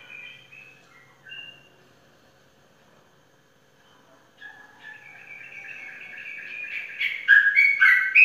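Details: Contest-winning caged sooty-headed bulbul in Indonesia, opening with soft whistled notes, then building into a louder, fast rising chatter of bright, repeated notes toward the end.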